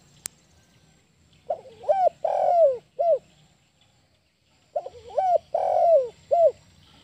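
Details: Wild spotted dove giving two soft, hoarse cooing phrases about three seconds apart, each a short rolling coo swelling into a long moaning note and a clipped final coo.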